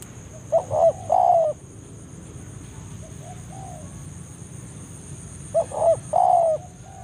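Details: Spotted dove calling a rival in forest as a trapping lure: two phrases about five seconds apart, each quick paired notes leading into a drawn-out descending coo, soft echo-like coos between, under a persistent high-pitched whine.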